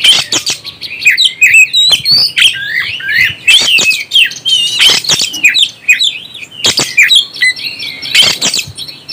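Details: Oriental magpie-robin song aimed at stirring other birds, mixing looping whistles with harsh, explosive chattering bursts that recur every couple of seconds.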